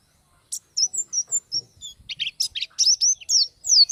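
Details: Oriental white-eye singing a varied, rapid sequence of high whistles and chirps, starting with separate thin notes and building into a denser twitter, with faint low taps.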